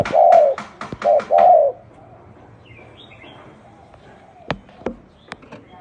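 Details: Low, mellow coos from a spotted dove in an unusual cooing style, crowded into the first two seconds with sharp clicks between notes. The rest is quiet background with scattered taps and faint distant chirps.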